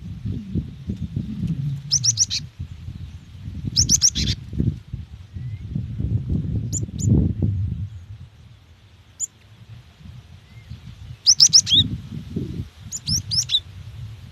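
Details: Female cinereous tit calling to a male, used to prompt other birds to sing: bursts of rapid, high, sharp chirps in clusters of several notes, separated by gaps, over a steady low rumble and faint background hiss.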